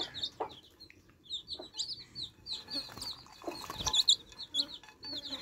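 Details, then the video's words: Thirsty chicks at fresh water keep up dense high-pitched peeping, brief falling notes crowding together, with a few soft thuds and a louder clatter near the end. "Thirsty Chicks Quenching Thirst With Fresh Water Baby Chicks Relaxing Sound"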